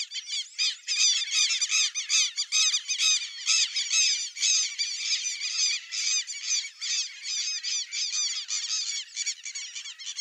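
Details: White-faced whistling ducks, locally called irerê, in a swamp setting: dense continuous chorus of high squeaky whistled notes from many birds, overlapping rapidly with no pause throughout.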